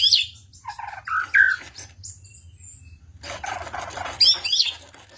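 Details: White-rumped shama singing varied phrases: rich whistled notes, quick rising and falling slurs, and bursts of dense, scratchy twittering, with a brief quiet gap midway. Background otherwise quiet.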